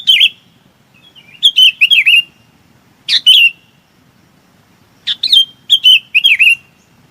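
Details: A bulbul calls to gather its flock, giving quick liquid chirps that dip and rise, grouped in short runs separated by brief pauses, with a soft low hum beneath.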